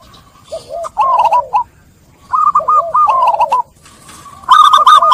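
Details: Zebra dove lure song to coax stressed captive doves back into cooing: clusters of quick, rolling, overlapping coos in two bouts, soft arched notes beneath, ending in a loud high stuttering phrase.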